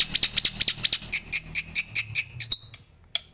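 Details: Starling song used as master training audio for other songbirds: bright, sharply rising whistled notes repeated about four times a second, then a run of shorter high chirps ending in a slurred whistle.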